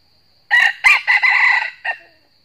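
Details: A wild red junglefowl cock in northern Vietnam, lured by a decoy cock in a trap, gives one clipped, hoarse crow of several quick, strained syllables lasting about a second and a half, ending in a brief final note, in a crowing contest without coming in to fight.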